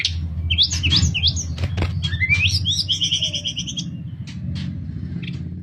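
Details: Sooty-headed bulbul in nyuling song for training other birds: a tumbling series of sliding whistles and a stuttered doubled trill, over a steady low rumble.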